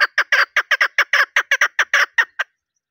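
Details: A female chukar partridge gives a fast run of about fourteen harsh, clucking notes, roughly six per second, then falls silent; the call is used in hunting to draw a male to answer.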